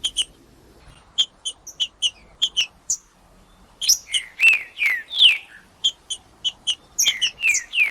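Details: Caged green-winged saltator warming up while cold: sparse short high chips for the first few seconds, then a run of rich descending whistles mixed with sharp chips.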